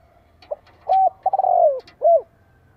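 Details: Spotted dove decoy call used to provoke wild doves to answer: one complete phrase of a short soft note, a clear coo, a longer burry coo that slides down, and a final rounded note.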